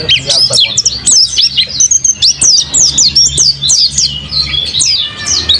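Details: Kept mountain white-eye, praised as a lively, loud singer in top form, delivering a dense, rapid stream of high, thin chirps and twittering slurred notes, rising and falling without pause, with faint low background hum.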